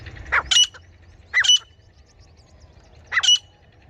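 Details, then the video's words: Three separate harsh, sharp calls of a female grey francolin, the teetar hunting voice, spaced about one to two seconds apart over a low background hum. "Female Grey Francolin Hunting Voice"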